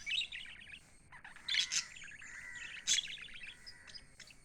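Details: Several pet lovebirds keep up a dense, high-pitched twittering, overlapping quick chirps with a few louder sharp squeaks standing out.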